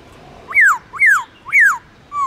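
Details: Captive black-throated laughingthrush giving forest-style morning song: three loud, clear whistles that sweep downward, spaced about half a second apart, followed by the start of a rising note.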